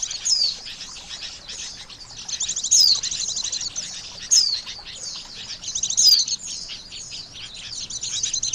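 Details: Oriental white-eye call as a bird-trapping lure: soft continuous high twitter punctuated about every one and a half seconds by a sharp falling whistle.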